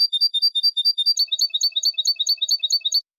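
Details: Goldfinch linked song with two changes in clean style: steady high chiming notes for about a second, then a change to a jerkier repeated twitter that runs evenly to the end before stopping.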